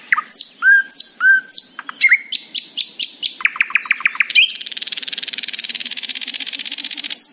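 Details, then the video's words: A nightingale singing happily in the morning gives varied phrases: a few liquid whistles, then quick repeated strokes, ending in a long, fast, buzzy rattle, with a faint low hum underneath. "A happy nightingale singing in the morning"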